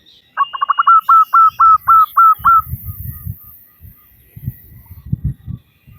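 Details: Local female zebra dove calling to males, a call used as a lure to make male doves sing: a quick stuttering run of short notes turning into about five longer, clear whistled notes, then low dull thumping sounds.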